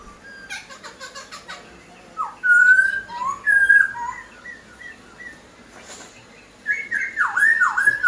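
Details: Masked laughingthrush, known locally as poksai Hongkong, kept by a bird breeder and singing actively: loud clear whistled notes, some slurred and falling, in bursts with pauses, plus sharp clicks and chirps early on and a low background hum.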